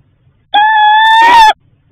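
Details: Female barred owl at the nest at night, calling for food from her mate: a single drawn-out, nasal, wavering screech lasting about one second, rough toward the end, in a quiet setting.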